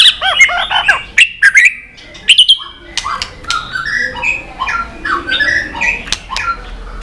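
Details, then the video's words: White-rumped shama in competition singing, flicking its tail, with many long forest-style phrases: loud varied whistled notes and sharp chips early, then softer warbled phrases over faint background noise. "chòe lửa tạch đập đuôi kích lửa hót đấu căng lửa.luyện chòe lửa hót nhiều giọng rừng dài"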